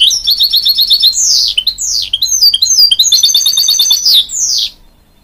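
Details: Hybrid goldfinch urging young chicks on with song: buzzy high trills broken by repeated steep downward swoops, ending abruptly in quiet.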